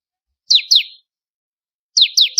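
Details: Bar-winged prinia (ciblek kristal) for songbird training: two pairs of loud, high, downslurred notes about a second apart, the second run beginning a third note.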